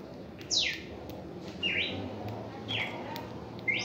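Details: Red-crested cardinal in its first reaction in song: loud, sharp notes sweeping down from very high pitch, plus shorter buzzy mid-pitched notes, about one each second, over a low steady hum.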